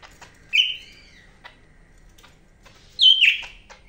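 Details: Greater green leafbird from Medan, two loud separated phrases: a rising then falling whistled slur, a quiet gap with faint ticks, then a sharp descending whistled note.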